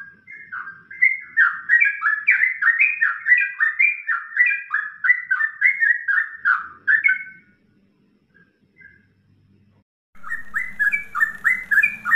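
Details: Yellow-vented bulbul song for training songbirds: fast strings of whistled, warbling notes around mid pitch, rising and falling in rapid runs for seven seconds, a pause, then the rapid phrases resume.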